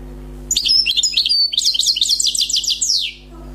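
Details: Wild-caught European goldfinch, newly trapped, singing a flawless song: a rapid run of high tinkling, twittering notes and buzzy trills lasting about two and a half seconds, with a steady low electrical hum underneath.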